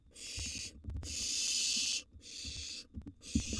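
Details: Hissing, snore-like screeches from wild barn owl nestlings at a nest box feeding, one long rasping burst between shorter ones, with soft knocks and rustling below.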